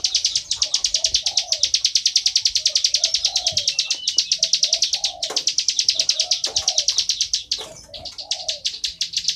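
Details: Bar-winged prinia singing loudly and nonstop: a rapid string of sharp, high chirping notes at about three per second, with a low, soft, dove-like cooing in the background.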